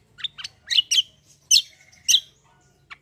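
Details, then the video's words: Black-winged myna in fighting song, with loud scratchy high chirps in pairs followed by a thin level whistle and a final short note. "CUCAK KOMBO TARUNG NGEROLL GACORR"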